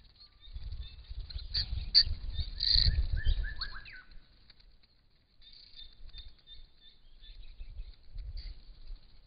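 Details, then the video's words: Purple-crowned Lorikeets, two adults and two young just out of the nest and learning to fly, with a Little Lorikeet, at a pond: shrill, high, buzzy screeches in rapid bursts, a few lower falling notes, low wind rumble. "Purple-crowned Lorikeet"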